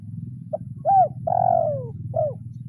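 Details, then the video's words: Spotted dove calling a rival, a lure-training bird with the 'kuk 0-1' pattern: a short soft note, a rising-falling coo, a long descending coo, then a closing short coo. A steady low hum runs beneath. "Suara Tekukur Memanggil Lawan"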